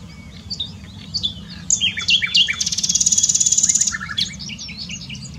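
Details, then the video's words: A nightingale sings in the Eifel near Dohr, Germany, with scattered high notes building into a fast, rattling burst of repeated pulses lasting about two seconds, then softer chirps trailing off; a faint low hum sits underneath. "Nightingale singing. Nachtigall singt."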